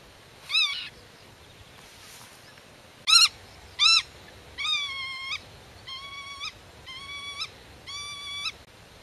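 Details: Black-tailed godwit defending its nest against intruders while in contact with concealed chicks: a few sharp arched yelps, then a run of softer, level, drawn-out nasal calls around once a second.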